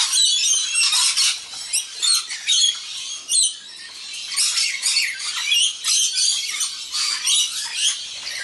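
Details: Wild rainbow lorikeets, one of them immature, at a shared evening meal; busy, grating high squawks pulse in rapid uneven bursts from several birds calling together.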